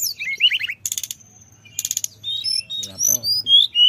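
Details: Sunda robin lure song full of fillers, opening with a run of falling chirps, then two dense buzzy bursts, followed by thin high whistles and a few soft lower notes.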